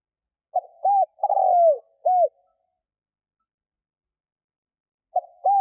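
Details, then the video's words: Decoy spotted dove cooing to pull in wild doves. A short note and a rounded coo lead into a long vibrating coo that drops in pitch, then one more rounded coo. The next phrase starts after about three seconds. "Tiếng cu mồi thúc gù gáy kích bổi cực nhạy"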